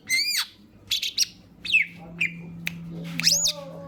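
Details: Green leafbird singing to set off other birds: slurred descending whistles and squeaky chips in short bursts over a steady low hum, ending with a high whistle and a lower held tone.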